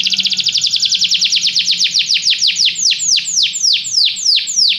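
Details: A canary sings a song meant to make a pet canary sing. A very rapid trill gradually slows into separate, loud, downward-sweeping whistled notes repeated about twice a second.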